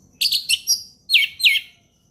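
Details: Orange-headed thrush singing ngeplong style, a short phrase of rich, high warbled notes followed by two loud downslurred whistles.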